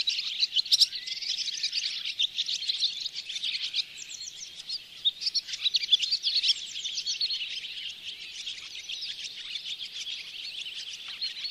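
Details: Barn swallows giving a long, unbroken high twitter at the Oostvaardersplassen bird hide in September 2016, recorded with a Panasonic Lumix GH4, overlapping chirps and squeaks blending into a dense chorus.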